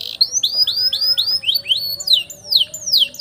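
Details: Canary singing a long roll as a master song for young canaries; series of arched whistled notes about three per second, shifting into steeply falling slurs.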